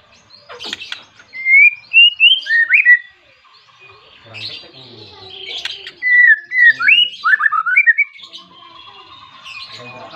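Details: White-rumped shama persistently calling a rival to provoke other shamas: rich whistled phrases of rising and falling slurs in two loud bouts separated by a quieter pause, with a few sharp clicks.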